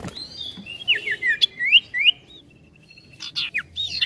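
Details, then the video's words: A sirtu bird sings energetically, with a quick run of high looping whistles and rising chirps, then a thin even trill and a few loud sweeping notes. "SIRTU GACOR NGETRIL NGETROL"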